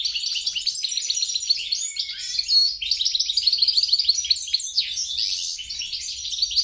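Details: Hybrid mule of European goldfinch and grey-crowned goldfinch singing a continuous, fast, twittering warble of high tinkling notes and short buzzy trills, with one brief drop in loudness near the middle.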